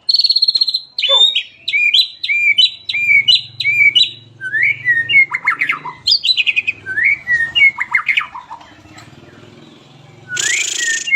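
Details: White-rumped shama delivering sharp shooting notes and rolling phrases for tutoring other shamas: a held high whistle, then a run of repeated clipped whistled notes, downslurred chips and twittering trills, closing with a brief rush of noise.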